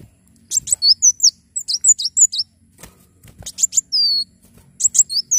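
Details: Javan sunbird singing steadily, played to teach and trigger other birds: quick runs of shrill high notes and short falling slurs in groups of four or five, one longer drawn whistle; soft low hum in background.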